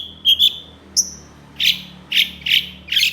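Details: Long-tailed shrike singing excitedly in response to another shrike species, a training recording of harsh bursts. A short steady whistle and a high thin note lead into four evenly spaced rough, buzzy bursts, low hum beneath.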